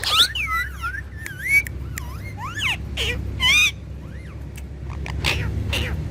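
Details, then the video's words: Two pet talking parrots produce loud twisting whistles and rasping squawks, with a quieter wavering whistle near the end over a low background rumble. "Talking Parrot"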